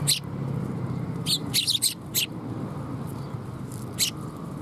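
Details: Sparrows arriving to be fed at a Tenmangu shrine, 30 September 2021, give bright, clipped high chirps, some in a quick cluster of three or four, over a constant low background hum.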